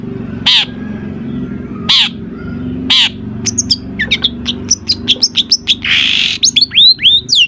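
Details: Long-tailed shrike in full, varied mimicry song, used to prompt other shrikes to sing. Three harsh, spaced notes open into a rapid run of chirps, sweeping whistles and a buzzy burst, over a low background hum.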